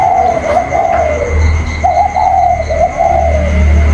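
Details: Spotted dove of the còi cooing style, a bird kept inside contesting a wild bird outside, 27 October 2022: two long wavering mid-pitched coo phrases, with steady low rumble and a constant thin high whine.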